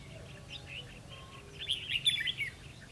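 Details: Red-whiskered bulbul during trapping, 11 November 2016, gives one short, lively run of chirpy warbled notes in the second half after quiet background noise.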